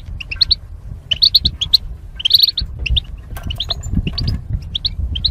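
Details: Goldfinches paired for mating in cages, separated by wire partitions, singing for training: rapid, liquid twittering with dense chirp clusters, a few clicky notes, and a steady low-pitched background hum.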